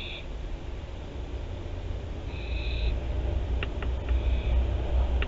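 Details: Barn owls in Théding, France, 24 September 2021: three scratchy hissing calls, the middle one longest, followed by a scatter of sharp ticks and clicks over low rumble.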